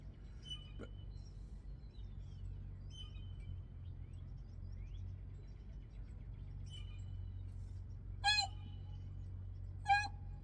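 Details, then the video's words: A blue jay off-screen at breakfast time, apparently wanting to steal spilled food, gives two loud, harsh, raspy screeches about a second and a half apart, over a steady low hum and a few faint thin whistles. "that was a blue jay making a horrible noise you can hear him hello yes I hear you"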